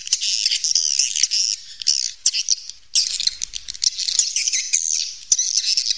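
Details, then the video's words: Natural cave recording of swiftlets, with many birds calling at once in high, rasping, buzzy twitters, broken by short pauses and scattered clicks. "suara panggil walet asli alami rekaman dari goa"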